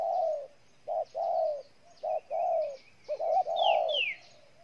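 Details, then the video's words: Spotted dove cooing in Ninh Thuận, Vietnam: repeated short-long coo pairs, low and mellow, with thin high whistles and chirps of other small birds in the background. "Cu gáy Ninh Thuận"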